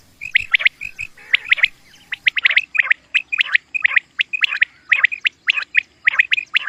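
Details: Common quail calls for hunting lure use: rapid bright whistled notes and sharp clicking strokes in quick pairs and triplets, fairly even series, faint low hum beneath.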